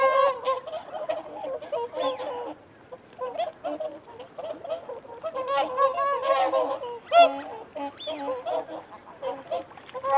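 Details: Whooper swans giving feeding and territorial calls: a dense, overlapping chorus of nasal, trumpeting honks from several birds, with bursts of louder calling around seven seconds and short quieter gaps between the flurries.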